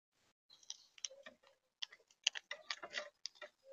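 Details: Monk parakeets in Tampa Bay, Florida, give harsh, scratchy chattering notes in quick irregular bursts, several a second, with short pauses between runs.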